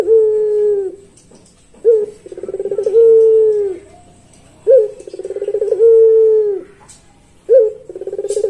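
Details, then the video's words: Pelung Barbary dove repeating its long song about every 2.8 seconds. Each phrase has a sharp accent note, a buzzy pulsed roll rising in loudness and a smooth falling coo. Faint ticks are heard in the background. "Puter Pelung Suara Panjang"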